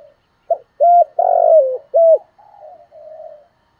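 A spotted dove gives a brief note, then three full, hollow coos in quick succession, fading into soft, purring trailing notes; the background is otherwise quiet.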